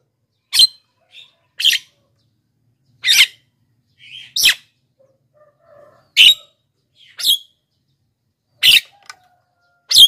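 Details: Black-winged myna in energetic song, meant as a lure for wild birds and a tutor for lazy singers: a run of abrupt, rasping screeches at irregular one-to-two-second gaps, with a few quieter whistled notes between.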